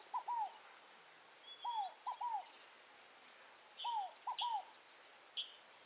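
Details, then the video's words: Wild rolinha fogo-apagou, or scaled dove, from Tupi Paulista, São Paulo: three evenly spaced phrases of three soft coos each, first and last notes slurring downward around a short middle note, while other birds chirp faintly in the distance. "O canto da Rolinha fogo apagou"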